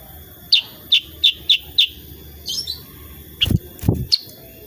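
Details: Lively sooty-headed bulbul (kutilang sutra) in shooting-style tembakan song: five loud, sharp, high chips spaced about a third of a second apart, a brief twitter, then knocking thuds and a final high note.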